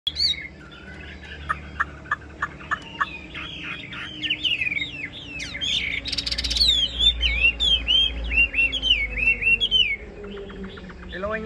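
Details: Caged Chinese hwamei, a tame bird kept as a songbird, sings a varied run of sharp clipped notes and then a fast stream of looping, rising whistled phrases that repeat roughly once a second.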